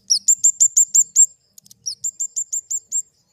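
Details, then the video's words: Flowerpecker giving a rapid, even series of high, thin down-slurred notes, about six per second. The series breaks off briefly, then repeats in a second matching run. "Suara burung kemade"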